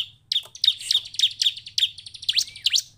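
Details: A bar-winged prinia gives a fast, emotional run of sharp, high chirping notes, about three to four per second, over a faint low hum, a lure recording meant to make other prinias join in and sing.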